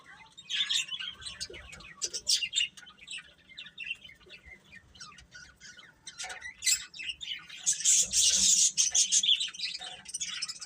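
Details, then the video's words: Chicks give scattered high peeps and short chirps, building at around eight seconds into a dense, loud burst of shrill calling before easing off again. "Cute Chicks Chirping Sounds"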